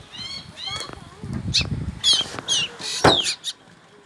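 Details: Hungry black drongo chicks in rural Bengal chirp for food: bursts of sharp, high, harmonic chirps, some rising and some falling, come in quick clusters, with a brief human voice and low rustling between them.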